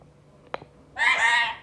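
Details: Pet rose-ringed (ringneck) parakeet talking in Hindi gives a nasal, speech-like phrase of about two-thirds of a second, rich and reedy, after a single soft tap.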